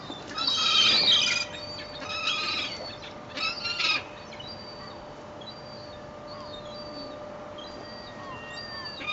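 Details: Rowdy gulls being fed bread at Fleetwood Docks on a sunny day, 7 August 2012: loud harsh overlapping squeals in the first few seconds, then fainter scattered calls over steady low background noise.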